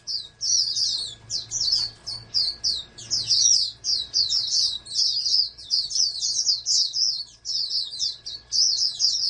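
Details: Captive-bred oriental white-eye, groomed as a national contest champion candidate, sings high thin twittering phrases in quick bursts separated by short pauses, with a faint steady electrical hum beneath.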